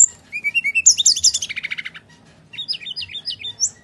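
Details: Bali myna in vigorous fighting-mode song, played to prompt lazy birds to sing: rising whistles, a rapid string of rhythmic chirps, then a series of short warbled notes ending in a high whistle.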